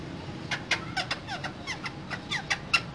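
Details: Two green parrots in a cage, talking: a run of soft, quick chirps and short sliding notes, some rising and some falling, spread across three seconds over a low background hum.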